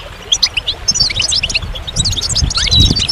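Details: Short burst of goldfinch song: bright, quick chirps and twittering slurs that grow busier toward the end, with low background noise.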